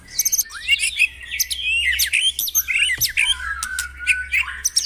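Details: White-rumped shama song played to stimulate caged birds to sing in a morning dewing session: dense, varied high whistles, chirps and warbled phrases without pause, over a faint low hum.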